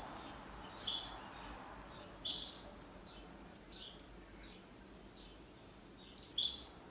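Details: Pet canary singing in duet: lively, high-pitched chirps and whistles tumble together during the first few seconds, then fade to faint slurred notes before one final bright chirp.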